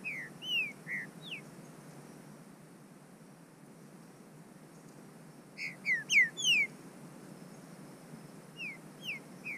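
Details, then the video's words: Captive-bred green-winged saltator from Brazil, singing in the bush: short groups of clear, sliding whistled notes, two phrases about five seconds apart with a fainter third near the end, over steady background hiss. "Trinca ferro imbatível no mato esquentando"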